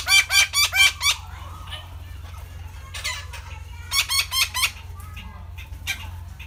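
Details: Red-breasted parakeet opening with a rapid run of five loud, grating notes, then quieter scattered squawks and a second burst of harsh calls, with a low background hum.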